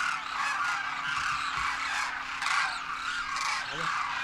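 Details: Large wild flock of Demoiselle Cranes, adults with first-year juveniles, wintering in Rajasthan, India, trumpeting while taking flight; a dense, continuous cacophony of overlapping honking, rolling calls.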